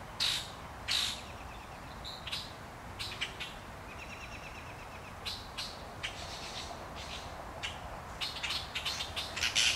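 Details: Several Common Grackles mobbing a crow in a forest in Ontario, Canada, to protect their eggs and young, give harsh, raspy chack notes in uneven bursts, with a few higher buzzy, squeaky notes mixed in.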